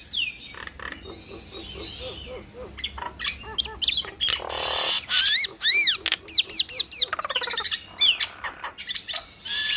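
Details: A Nias hill myna duet meant to set off other mynas: a dense, fast run of loud whistles, chirps and sweeping notes, with some harsh rasping between them and a quiet background.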